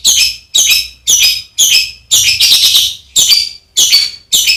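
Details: Master song for training contest birds, from a songbird with coarse fill-ins: a string of chattering harsh notes, roughly two per second, with one longer grating phrase in the middle.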